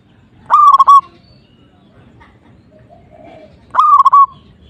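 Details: Two separate phrases from a local zebra dove singing hard to stir up a rival. Each is a rolling, staccato string of soft low coos lasting about half a second, with quiet in between.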